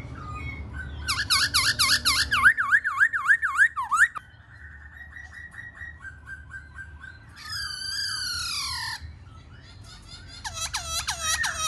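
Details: Black-throated laughingthrush, a kept bird, singing a varied song: fast repeated whistled notes sweeping up and down, then softer slurred whistles, a loud buzzy warbling burst, and rapid looping whistled phrases at the end.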